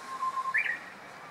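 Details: Japanese bush warbler singing from a leafless branch about 10 m away, where it repeatedly flies in to sing, recorded from a parked car on 24 March 2017: a long steady low whistle, then a higher quick rising-and-falling flourish.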